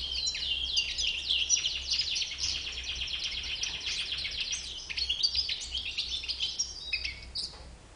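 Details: Rapid, chattering song of a white-bearded European goldfinch: crowded sharp chirps and tinkling trills pouring out for about seven seconds, easing off at the end, with a low hum underneath.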